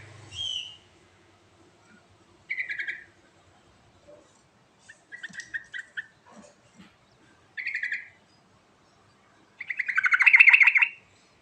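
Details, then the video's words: Sooty-headed bulbul in lively 'gacor' song, given as a fill-in to coax a silent bird: short chattering, buzzy phrases roughly every two to three seconds, the last one longest and loudest, with thin high chirps between them. "Suara Asli Trucuk Gacor Isian Istimewa Cocok Untuk Pancingan Trucuk Macet Bunyi"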